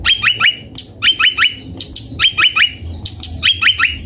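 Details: Long-tailed shrike repeating quick groups of three bright, clipped chirps, each group followed by thin high notes. The phrase recurs roughly every second in a steady, rhythmic pattern.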